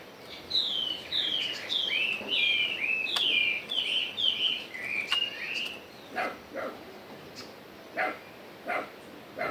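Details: Chinese hwamei singing in true forest style, a steady series of repeated downslurred whistles roughly twice a second, then sharp clicks and taps.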